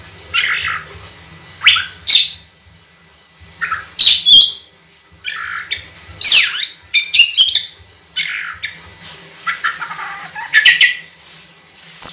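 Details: Oriental magpie-robin in nonstop natural song, long clear bursts for use as tutor material: separate whistled and slurred phrases about every two seconds, irregularly spaced, with a soft low rumbling hum beneath.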